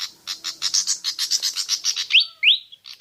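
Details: Pied fantail (Rhipidura javanica) song used as a lure to prompt other birds to sing: a quick run of about a dozen scratchy, chattering notes, followed by two sharp, rising whistled upslurs and a final chatter.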